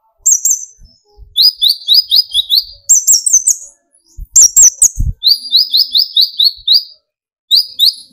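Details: Energetic song of a brown-throated sunbird (kolibri ninja), meant to rouse other sunbirds into singing: repeated phrases of thin, rising, slightly buzzy chirps alternating with shriller rapid trills, separated by short pauses.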